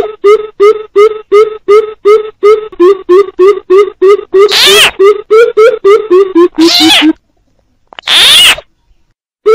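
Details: Coucal call used as a trapping lure, mixed with frog calls: a fast run of deep, hollow hooting notes, about three per second, broken by harsh, sweeping frog croaks, then a short silence and another croak.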